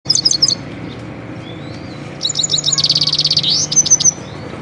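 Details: Himalayan goldfinch singing: quick bright twittering notes high in pitch, a short burst, a pause, then a fast buzzy trill and clipped chirps; steady low hum underneath.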